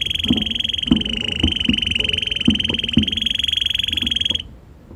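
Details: Hand-tame red canary singing happily in a garden outdoors: a long, steady, high rolled trill held for over four seconds, with soft low clicking and knocking sounds underneath.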